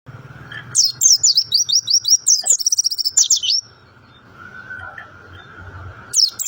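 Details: Mountain white-eye (pleci Montanus) singing in its 'rock & roll' style: a rapid burst of high, thin chirps and sweeping twitters, about three seconds long, then near silence with a low hum before another short twittered phrase.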